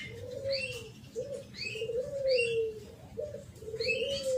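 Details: Spotted dove cooing in thổ pháp style, meant to stir up young birds, males and females; a run of short, low, hollow coos repeated, with thin rising chirps from other small birds above.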